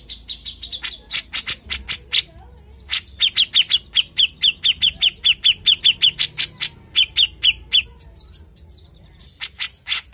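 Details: Grey-cheeked Bulbul singing actively, on a lure recording: long runs of sharp, evenly spaced chirps near one pitch, about three per second, with loud broadband clicks between them and a few higher slurred notes.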